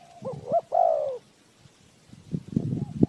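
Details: Spotted dove cooing, a call used as a lure for trapping wild birds; two short rising-falling hoots lead into a longer, drawn-out mellow coo, followed by scattered low rustling and knocks.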